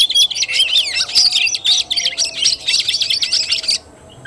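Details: Oriental magpie-robin, kacer tarung fighting style, 17 August 2021: a continuous run of sharp high whistles, trills and chips for nearly four seconds, then falling quiet.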